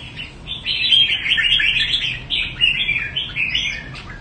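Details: Red-whiskered bulbul from the Đại Quang area of Quảng Nam, Vietnam, singing a fast, continuous run of bright, warbled mid-high chirps for about three and a half seconds with no clear pauses.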